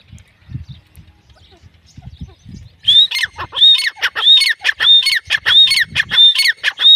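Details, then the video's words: Female grey francolin calling: after a quiet start with faint low thumps, loud high squealing notes ring out in a fast, even series, about seven in a row, each with a sharp rising-then-falling shape. "Grey francoline | Teetar Ki Awaaz | Female teetar sound"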